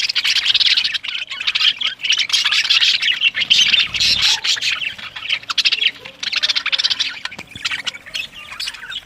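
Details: Budgerigars in a breeding colony in Pakistan: nonstop high-pitched chirping and warbling from many birds, in busy bursts with brief dips, and a low rumble in the background midway.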